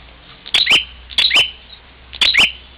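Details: Bar-winged prinia from Parigi, Ciamis, West Java, fighting its reflection in a mirror: three sharp, high squeaky double notes spaced about a second apart, with a steady low hum behind.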